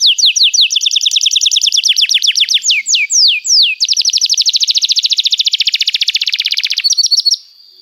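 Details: Canary song used as a lure and training aid for young birds learning to sing: long, energetic run of rapid descending whistled sweeps, then a fast even trill of repeated notes, ending in a brief buzzy flourish.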